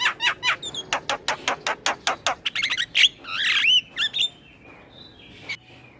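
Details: Male Asian pied starling in song used to train other starlings: rapid regular clicking notes speeding up, then a harsh warbled squawk and a few whistles before the song tails off.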